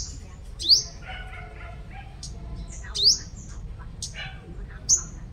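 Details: Vigorously singing sunbird decoy from Long Thành, Đồng Nai, Vietnam: three shrill, rising notes with whistled tails, the last one shorter, mixed with faint twittering and a low background hum.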